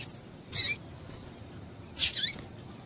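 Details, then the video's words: A female double-collared seedeater calling to stimulate the male. A thin high whistle opens, followed by harsh buzzy chips, one with a downward slur, in a quiet setting with faint hiss. "Piado de Fêmea de Papa capim é Fêmea de Papa capim Chamando Para Esquentar Papacapim"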